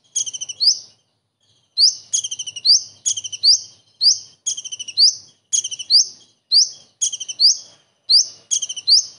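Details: Common iora mimicking a kingfisher, pouring out a dense run of high rising whips and fast stuttered chip trills, nearly continuous after a short opening pause.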